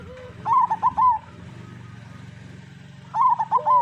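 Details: Perkutut, a local zebra dove, singing on a master recording for coaxing doves into song: a burst of rapid trilled coos, about three seconds of quiet, then the same phrase again.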